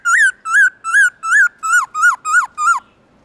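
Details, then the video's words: Morning forest-style song of a black-throated laughingthrush: a steady run of eight loud, clear whistled notes that rise and dip, spaced roughly 0.35 seconds apart, with a quiet background. "Khướu bạc má HÓT GIỌNG RỪNG buổi sáng Âm Dài to rõ"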